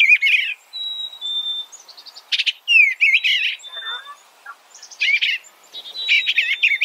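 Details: Eastern bluebird warbling in irregular short phrases, mixing slurred down-sweeps and buzzy clusters with brief level whistles between them.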